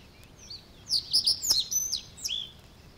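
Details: Reed Bunting singing in the reed beds of Matsalu, USSR, field recording from 1979; after a quiet start, a short burst of sharp, high chirped notes runs for about a second, then fades, over a faint low background hiss.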